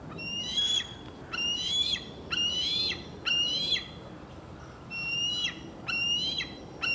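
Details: Fledgling eagle calling in Gloucester, Massachusetts, in July 2024: high, thin whistled notes with a bright, slightly rising and wavering tone, given in about eight short bursts over a steady low background rumble.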